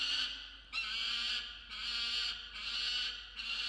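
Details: Male peregrine falcon on a nest-box camera at 6:09 am on 27 December 2022, screaming while protecting a musk lorikeet he brought in as prey: harsh, broad rasping screams, each about 0.7 seconds, repeated in a steady series of four.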